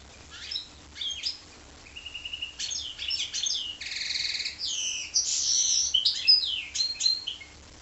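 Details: A goldfinch-canary hybrid sings a broken, varied song of twittering notes, short whistles and buzzy trilled bursts, with brief pauses between phrases and a louder, complex passage in the second half; background quiet apart from a faint low hum.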